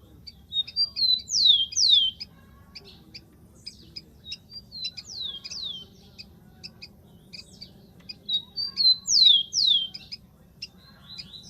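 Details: Wild rufous-collared sparrow singing: high, clear whistles slide steeply downward in a short phrase, repeated about every four seconds, with scattered thin chips between phrases over a low steady hum.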